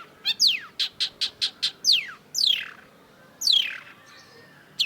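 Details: Long-tailed shrike song: a rapid series of seven clipped high chirps, then long sweeping downslurred whistles, loud and clear against a quiet background.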